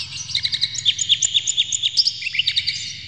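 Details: Oriental magpie-robin delivering a fast, even string of sharp chip notes and short slurs, about two per second, with a steady low hum behind; the song is used to stir other magpie-robins to sing.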